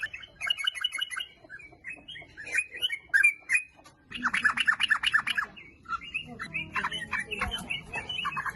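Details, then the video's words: Recording used to lure sooty-headed bulbuls into song: a quick chattering series, loose slurred whistles, then a loud, dense bubbly burst and more scattered twittering phrases. "TRUCUK GACOR - TRUCUKAN FIGHTER - SUARANYA BIKIN SYAHDU - PANCINGAN TRUCUK AGAR BUNYI"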